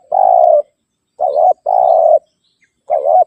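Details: Spotted dove calling rivals, a call used to lure wild birds closer and to train caged birds: alternating long flat coos and shorter dipping double coos, four phrases in just over three seconds, quiet background.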